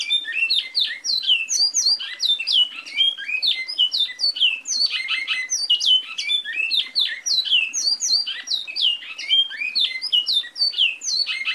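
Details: Great-billed Seed-finch in full song: a long, unbroken stream of rapid, varied whistled notes with many quick up and down slurs, delivered loudly and steadily throughout.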